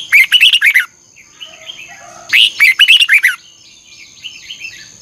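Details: Two quick rippling phrases of sweet, slurred whistles from a red-whiskered bulbul in a morning singing session, bold 'ché' delivery with double-twisted voice, separated by soft quiet twitters.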